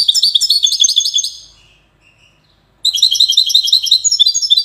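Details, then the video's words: Widani-style European goldfinch singing in Safi, Morocco. Quick, liquid twittering trills run densely for over a second. They fade into near silence, then a fresh rapid burst of high chattering notes follows. "حسون ويداني"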